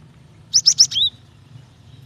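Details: Female Java sparrow calling the male, used to provoke singing: a brief burst of three sharp high chirps followed by a downslurred whistled note, then quiet with faint low hum.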